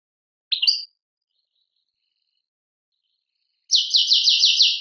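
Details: Goldfinch from Tadmait, Algeria, giving a single sharp twittered note, then after a pause a fast, regular trill of about six buzzy, repeated elements. No background noise.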